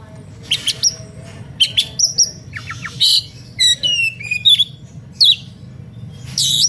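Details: {'text': 'Lively, aggressive-sounding Oriental magpie-robin song aimed at provoking rival magpie-robins to join in: rapid sequence of sharp chirps, buzzy rasps, trilled notes and high sweeping whistles with short gaps, over a faint low hum.'}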